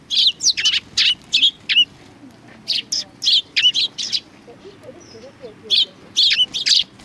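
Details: Sparrows welcoming someone at a Tenmangu shrine, 3 July 2020, chirp in short clusters of sharp, high tweets. A brief quiet spell in the middle separates two lively bursts.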